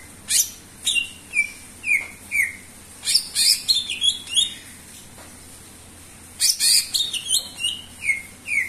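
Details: Greater green leafbird mixing crisp high chips with falling whistled notes in quick sequences, a brief pause, then another burst of chatter and descending whistles.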